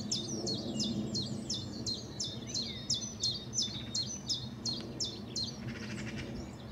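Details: Spring song of a common chiffchaff at Saltersford Locks in Cheshire, 31 March 2014: about fifteen crisp, high, two-pitched notes in a steady, even series, about two per second, over a constant low background rumble and a faint rattle near the end.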